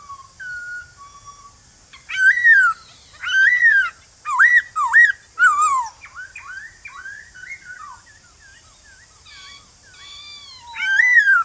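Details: Male white-cheeked laughingthrush in the morning sings loud, varied forest-style whistled phrases, rising then falling, in bursts about every second, calling a wild-caught bird to answer, with a steady high hiss behind.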